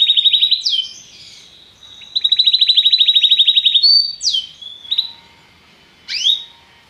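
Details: Belgian canary singing its popular song: a rapid rolled trill, a sweeping swoop, another long even trill of many notes, then separate upward and downward slurred calls.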